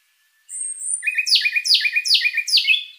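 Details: Asian robin kept as a contest songbird, described as imported from China: a thin high whistle, then a fast series of sharp downward-sweeping chirps, about four per second, over a low steady note.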